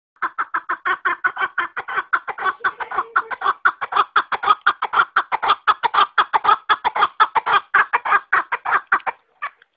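A chukar partridge gives a steady run of harsh, clucking notes, about four a second, holding an even pace for nearly ten seconds.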